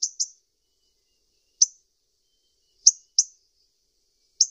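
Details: Sunbird uttering sharp, high, clipped chirps, some paired and some single, at irregular intervals of about one to one and a half seconds. Nothing else heard.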